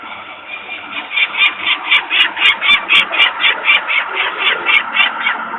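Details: Alarmed adult peregrine falcons calling at a nest site in Włocławek, Poland, 23 May 2022, afternoon, as workers make noise close by; young remain on the landing. Steady run of harsh, rasping notes, about four per second, after a quiet opening.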